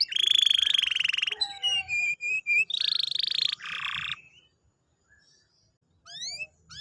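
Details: Canary singing, meant to coax a silent canary into song again: a loud rolling trill, quick chipping notes, another buzzy trill, a pause, then a few rising sweeps.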